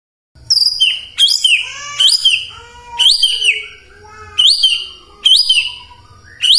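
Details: Morning provocation song of a white-rumped shama, meant to set silent birds singing: separate bright phrases, each a sharp high whistle dropping into lower notes, repeated about every second.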